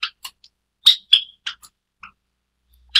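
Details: White Java sparrow, a white variety of the Java sparrow introduced to Taiwan, giving short sharp chirps and clipped metallic notes in uneven bursts, with a couple of brief pauses between groups.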